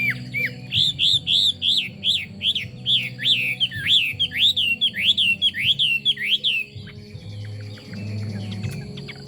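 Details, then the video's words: A Chinese hwamei repeats a bouncy, arched whistle again and again at a quick, fairly even pace for about seven seconds, then falls quiet as only a low mechanical hum remains. "Họa mi hót"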